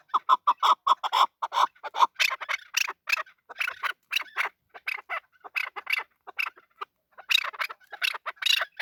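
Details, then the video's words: Male chukar partridge opening with a fast string of even mid-pitched chuck notes, then shifting into harsher, scratchy, broadband squawks delivered in rapid irregular bursts. "Male chakor voice"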